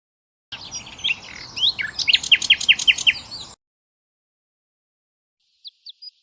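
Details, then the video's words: Kept European goldfinch in bibtiba-style song: one rapid burst of high, sliding twitters mixed with crackling clicks, lasting about three seconds, followed by silence and a few faint, distant chirps. "طائر_الحسون.بتبتة خرافية وأصوات تجنن طيورك."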